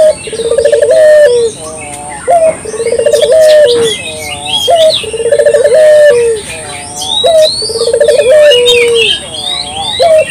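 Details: Repeated cooing of a local dove, played to lure birds: each phrase a quick pulsed roll ending in a drawn-out falling coo, about twice a second-pair cycle, over busy chirping from other small birds.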